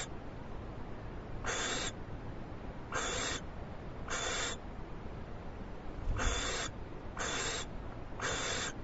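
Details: Owl filmed on a live webcam as it gets a big treat and quickly eats it, February 21, 2011; six rough, airy hisses in two loose groups, each under half a second, over faint constant background noise.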